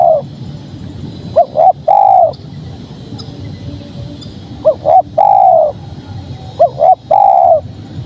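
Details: Spotted dove, known locally as tekukur, singing a repeated three-part coo: two quick short notes and one longer sliding coo, heard three times with pauses of roughly two seconds, faint background hum.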